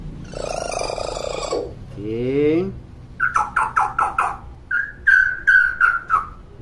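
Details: Hill myna, a chatty and talkative individual: a harsh noisy burst, then a rising harmonic whistle, then a fast run of about ten sharp, evenly repeated notes that end in slightly falling whistled notes.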